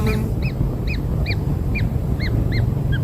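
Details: Kingfisher nestlings, just hatched and receiving black insects, call in brief down-curved squeaks, roughly eight in three seconds, evenly spaced, above heavy low-pitched background noise.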